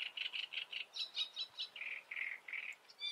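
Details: Great reed warbler in the Eifel, Germany, delivering harsh croaking syllables in short repeated groups, grating phrases of three or four notes shifting between lower and higher pitch, rapid and rhythmic.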